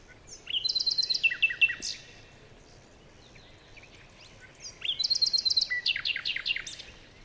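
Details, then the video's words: Jungle birdsong with fast repeated chirping notes in two clusters, rapid trilled series and short whistles, several birds calling over a faint constant hiss of the forest. "Bird Sounds SFX"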